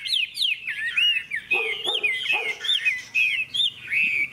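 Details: {'caption': 'Contest-singing hwamei, caged between two rival birds and still singing strongly: swooping, liquid whistles packed tightly together, with several rough, lower chattering notes mixed into the phrases.'}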